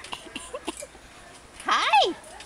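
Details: A friendly cockatoo in a garden in Key West speaks in a harsh, strained voice, asking "What's the matter?": a few faint syllables, then a loud, rasping phrase that rises and falls in pitch near the end.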